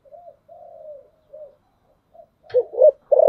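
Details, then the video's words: Spotted dove decoy bird cooing in the 'thổ sấm' voice style, used to lure wild doves: soft, low hooted notes with gaps, ending in a loud, emphatic double coo and a long falling final coo; otherwise quiet. "Cu gáy Giọng thổ sấm/ Tiếng cu mồi thúc bổi"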